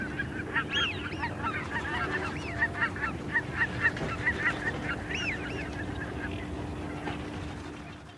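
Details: A small group of greater white-fronted geese calling in flight: high, yelping, laughing calls, overlapping in quick bursts, over a low steady hum.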